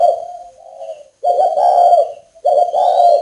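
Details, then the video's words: Captive spotted dove at a breeding establishment in northern Vietnam, recorded in rainy weather. It gives three sustained, husky coos, the first fading softly and the later ones stronger. Faint high tonal sounds run underneath. "chim cu gáy Tuyệt ĐỈnh miền bắc"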